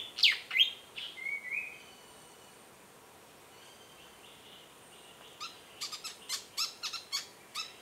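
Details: Malaysian pied fantail at a waterhole in Kaeng Krachan National Park, Thailand: a few sharp downslurred notes and a thin rising whistle, then a pause of several seconds before a quick burst of dry high chips.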